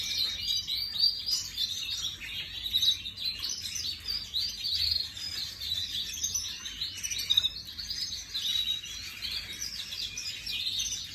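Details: Imported 2024 ornamental canary recorded 18 May 2025, singing a long, bright, high warbling song of bubbling trills and sharp whistled notes that rises to louder peaks repeatedly.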